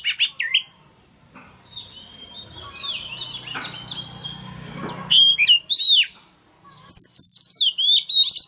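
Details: Oriental magpie-robin male, caged, singing to push a young bird into singing along: loud whistled slurs open the song, a softer stretch follows with a low steady hum, then bright, rapid, high whistled phrases.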